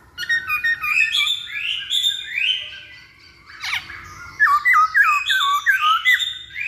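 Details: Masked laughingthrush singing as a lure for other birds: harsh squawky slurs, a short pause, then a brisk series of dropping whistled notes repeated about three times a second.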